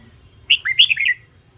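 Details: Red-whiskered bulbul trained to sing in competition, aimed at newly caught birds, delivers one brisk phrase of five or six liquid, bouncing whistles lasting under a second.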